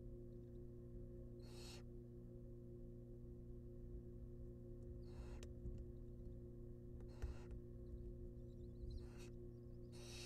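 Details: Barn owl babies in a wild nest box being fed rabbit: scattered short rasping hiss bursts, several over ten seconds, fairly faint above a steady low hum, with a few faint clicks.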